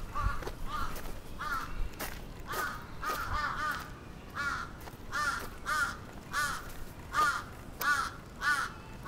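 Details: Attacking crows in Atsubetsu Ward, Sapporo, 27 June 2017: a steady run of rasping caws, roughly one every half second to second, some doubled, over faint background hiss and a few sharp clicks.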